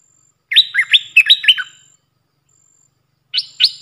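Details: Decoy voice of a Puff-throated bulbul used to train young birds: a loud run of six hooked whistled notes, bouncing low to high, a pause, then two sharp rising notes beginning again, with a faint thin high tone.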